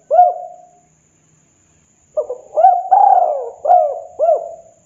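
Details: Spotted dove in full song on a training master for captive birds: one lone coo, two seconds of silence, then a tight series of five hollow, arched coos, the middle note drawn out and sliding downward.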